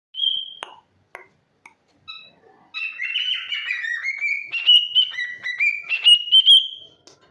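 A cockatiel gives a clear whistle, a few clicks, then a warbling run of rising whistled notes.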